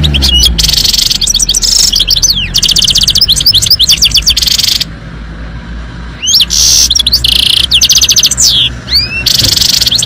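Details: European goldfinch in full song: rapid, liquid twittering phrases of buzzy trills and sweeping whistled notes, delivered in long bursts with one short pause midway, over a faint low hum.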